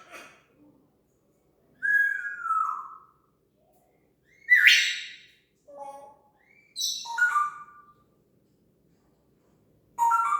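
An African grey parrot mimics sound effects: a falling whistle, a harsh burst, then squeaky and chirping imitations in irregular bursts every few seconds.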